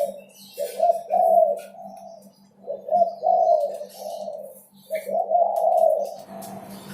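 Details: Spotted dove song, used as a lure to make other birds start singing: repeated low soft cooing phrases of three or four notes, with a steady low hum underneath and faint background hiss and clicks.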